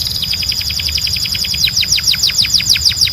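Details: Belgian canary song to train birds: a steady rapid series of high falling whistled notes, a little over three per second, clear and strong throughout.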